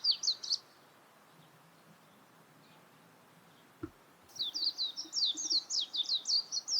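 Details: Warbling white-eye with a short high twitter, a long quiet gap with a single click, then a sustained run of quick high warbling notes.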